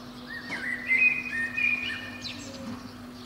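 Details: Spring morning song of a Eurasian blackbird perched at the very top of a pine under a window, early between five and seven. A single rich, fluted phrase with sliding whistles and a brief squeaky ending; steady low hum behind.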